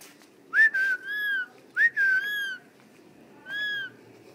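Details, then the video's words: Talking parrots indoors at home whistle a rich, rising-then-level tone twice in quick succession, each followed by a longer held note, then one softer whistle after a pause. "Talking parrots"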